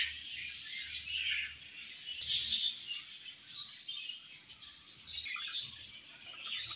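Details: Budgerigars in a colony chirping while eating, a quieter mix of high twittering and squeaky notes over a faint low background hum.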